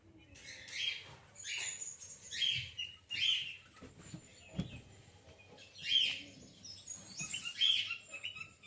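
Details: A female cockatiel gives a series of high, scratchy chirps in uneven bursts, several per few seconds, with some background noise and knocks.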